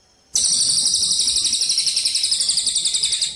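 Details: Javan munia song for songbird contest training: an abrupt, loud, high and buzzy trill with steady pulses about four per second, continuing to the end.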